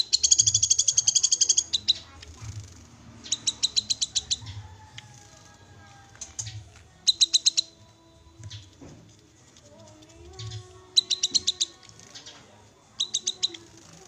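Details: Untrained Black-capped babbler (cucak kinoi) calling: short bursts of rapid, sharp, high chip notes repeated in quick trills, with pauses between bouts, plus a faint low background hum.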